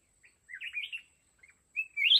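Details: Red-whiskered bulbul used as a decoy in a fighting trap to catch wild mountain bulbuls: short bright warbled phrases, a few quick notes, then a louder rising, chattering burst at the end, with a steady faint high hiss behind.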